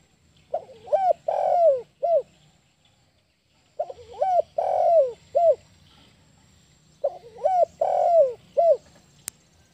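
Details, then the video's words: Spotted dove singing: three bursts of low, mellow cooing, each a quick run of four hooting notes with one longer drawn-out coo, separated by pauses of about two seconds in a quiet setting. "SUARA BURUNG TEKUKUR SUPER GACOR"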